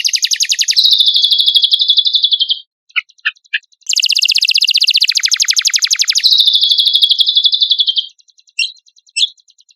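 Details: Black-winged myna, champion song material: two loud buzzing rattles separated by brief sharp chips. Each rattle begins very high and drops to a steadier lower trill, with fine rapid pulses throughout.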